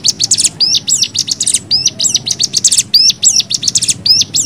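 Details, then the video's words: Lemon-bellied white-eye, known locally as cigun, giving fast 'nembak' style song for bird training: sharp high hooked whistles alternating with rapid buzzy rattles, packed closely together, with low background rumble. "MASTERAN CIGUN NEMBAK 6 VARIASI"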